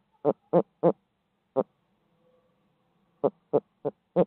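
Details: Barred owl in midtown Tulsa giving short, harmonic hoots: three quick notes, a lone hoot, a pause, then four more, each note brief and evenly spaced at about three per second.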